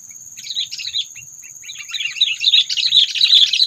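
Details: Sooty-headed bulbul calling, played as a trapping lure to provoke predators: busy, scratchy chattering chirps that start broken and grow louder and denser into a continuous excited jumble, with a constant high whine behind.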